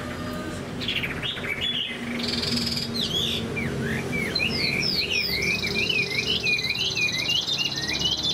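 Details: Chinese hwamei, a caged bird in moult, delivering high 'cao cầu' song: a few low notes, then a rising burst of bright looping whistles, repeated swiftly with buzzy trills over a steady low hum.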